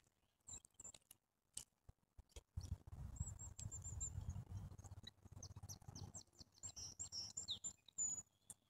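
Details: Thin, high chittering phrases from a grey-headed junco, broken and repeated over several seconds, against a low rumbling background and occasional taps.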